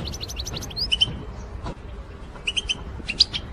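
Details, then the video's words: Goldfinch lure sound called batbata, meant to draw birds in for trapping: a rapid run of high ticking notes, then bright paired chirps and a few twittered notes near the end, with low background rumble. "بتبتة الحسون"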